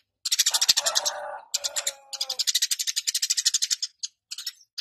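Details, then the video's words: Eurasian tree sparrow (Passer montanus) singing energetically, giving rapid, repeated harsh chirps, about six per second, in long bursts, with a lower buzzy chatter underneath. "Burung Gereja Gacor dan Ngeplong"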